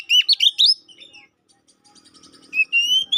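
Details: Oriental magpie-robin (kacer poci) song used as a lure to provoke a caged bird into fighting mood: a burst of loud looping whistles and rapid warbled notes, a quiet gap, then long clear rising whistles.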